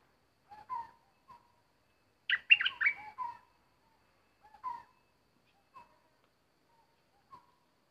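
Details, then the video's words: Bulbul kept as a decoy for bird trapping, with an uninvited intruder bird turning up: soft short whistled notes, then a loud burst of rich, tumbling warbled phrases, followed by scattered single clear whistles in a quiet background. "Burung merbah lekir bay hoach thom gacor bahanan"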